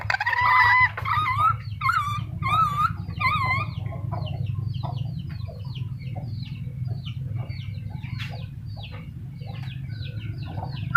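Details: Black-capped lory calling: a quick series of loud, wavering, harsh squawks, several each second, for the first three and a half seconds, then fainter scattered chirps and clicks over a steady low hum.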